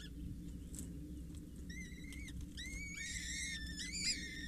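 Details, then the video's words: Begging from four Peregrine Falcon chicks, 6-8 days old, as a parent feeds them at a Scheveningen water tower, 8 May; quiet at first, then thin, rising and falling whistled squeals grow busier, over low-pitched background noise. "Watertoren voedering 8 mei 2023"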